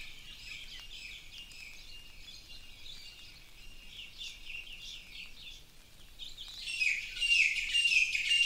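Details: Birds in a tropical forest, Big Island, Hawaii: soft high chirps that build to a louder, dense twittering song at the end.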